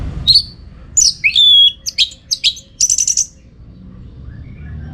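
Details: Orange-headed thrush (anis merah) singing for contest training, Bali: varied whistled phrases, a long sustained slurred note, then a rapid burst of high repeated chips.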